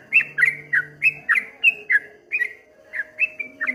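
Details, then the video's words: Short passage of streak-eared bulbul song in the 'ropel ngombak banyu' style: spaced, punchy whistled notes, slightly under two a second, each bending downward, with a brief low tone at the start. "suara burung trucuk kebo bunyi ropel ngombak banyu"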